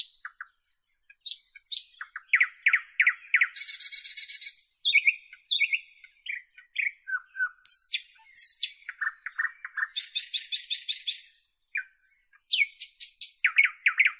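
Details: Northern European nightingale in full song, alternating rapid repeated chirp series, dense buzzy rattles, high thin whistles and low clicking notes in quick succession, the phrases separated by brief pauses.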